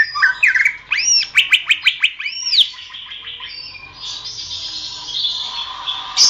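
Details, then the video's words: Greater green leafbird song used as masteran for training songbirds: a quick run of arching whistled notes and sharp chips, then a softer scratchy warble trailing off. "masteran suara burung cucak ijo"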